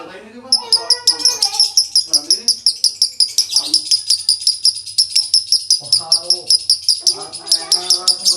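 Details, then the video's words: Male lovebird singing konslet style in a dry tone: rapid, sharp high chirps repeated nearly three times a second almost throughout, with a person talking quietly underneath. "Lovebird jantan konslet nada kering"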